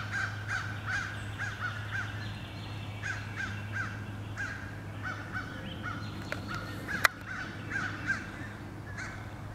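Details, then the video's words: Crows relentlessly attacking eagles, 26 April 2015. Harsh, raspy caws come in quick bursts of two and three across the clip. A low hum runs underneath, and a sharp click sounds near the seventh second. "Crows attack again and again"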